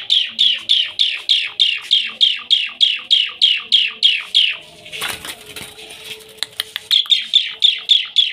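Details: Starling (jalak) outside a house giving a long, steady series of rapid high downslurred notes, broken by a burst of rustling noise, then resuming.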